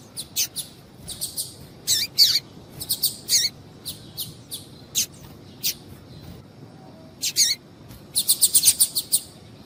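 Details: Bursts of high, clipped chirps from a female double-collared seedeater, used to excite males into singing; irregular spacing throughout, ending in a quick rattle-like run of chips.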